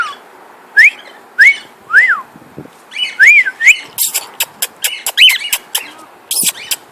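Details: Pet cockatiel, a male, whistling while flying: clear rising-then-falling whistled notes repeated about every half second, then harsher broadband screeches and rapid chattering bursts toward the end.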